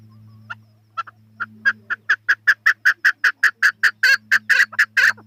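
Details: Chukar partridge starting with spaced single notes that build into a fast, steady sequence of loud, raspy chuck calls, about three per second, over a low hum.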